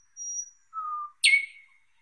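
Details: Thrush nightingale giving three separate pure whistles: a high steady note, a lower flat note, then a sharp high note sliding down into a fading whistle.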